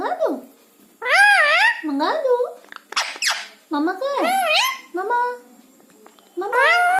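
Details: Pet parrot replying to its owner indoors with mimicked words like 'Mumma', 'Maa' and 'Ha'. A series of wavering, voice-like syllables with sharp squawks in between and pauses between phrases.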